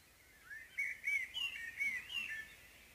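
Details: Common blackbird morning song: a run of fluty, slightly wavering whistled notes rising and dipping over two seconds, with a soft twittering edge, no other clear sounds.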